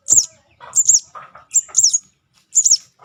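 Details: Juvenile sogon (Crimson Sunbird) lure call: high, squeaky double-noted chirps repeated about every 0.7 seconds, mixed with lower scratchy rustling sounds.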